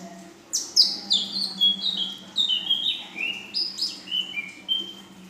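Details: Young female ashy drongo, song in full isian style with nembak panjang and belalang emas parts: a steady series of clear whistled notes, each dropping in pitch, given roughly once a second over a low background hum.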